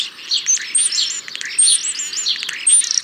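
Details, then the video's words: European starling song with thin, very high whistles slurring up and down between wheezy squeaks and rattling clicks, a rich, mimic-like medley. "European Starling - Songs"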